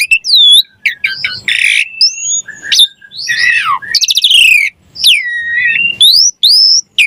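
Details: Varied, rich Javan pied starling song meant as a training master: squeaky high whistles mixed with harsh buzzy bursts, warbling slurred notes and rising whistled phrases, sung almost without pause.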